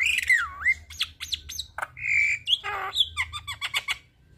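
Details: Javan myna song serving as a model for other starlings: a dipping whistle, sharp squawks and clicks, a level whistled note, a harsh descending rasp, then a quick run of short ticking notes.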